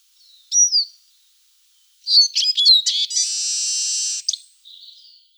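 A Eurasian siskin gives a thin falling whistle, then quick high twittering notes and a long, drawn-out buzzy wheeze, ending in a soft twitter.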